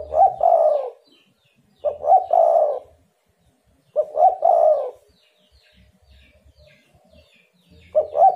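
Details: Lure call of a spotted dove, meant to prompt rival doves to reply: four cooing phrases repeated about every two seconds, each a short double note leading into a drawn-out, softly rolling coo, with quiet gaps.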